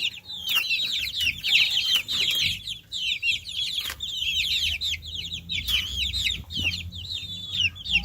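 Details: A group of baby chicks chirping continuously, with many overlapping high, thin peeping notes rising and falling in quick bursts, over a faint low rumble.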